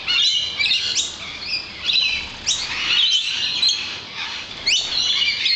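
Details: Lorikeets in a crowd outside a balcony, keeping up a constant high, shrill chorus of screeches and rasping squawks with short rising notes layered throughout.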